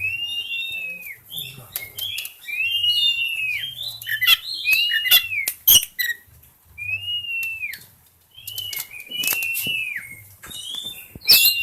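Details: Oriental magpie-robin in breeding condition, pouring out varied whistled phrases, many arching up then dropping, broken by sharp clicks and snapping sounds, with a faint low hum behind.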